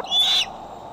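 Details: Decorah bald eagle, filmed by an eagle cam, 6 July 2011: a single brief, piercing high whistle, slightly falling at the end, against constant background hum.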